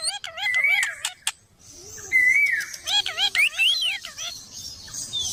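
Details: Parrot vocalizing in wavy, warbling harmonic calls mixed with rising and falling whistles, uneven phrases with a brief silent gap near the start of the second half.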